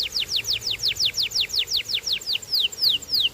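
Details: Canary singing a steady tour of fast, high downward-sweeping whistled notes, about five per second, each sliding from high to lower pitch, with the last few notes stretching out and slowing.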